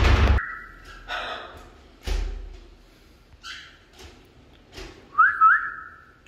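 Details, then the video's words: Pet African grey parrots being coaxed to talk: a sharp click, a sustained whistled note, scattered knocks and thumps, short squawks, then a wavering whistle near the end. "Talkative Birds - African Greys Parrots"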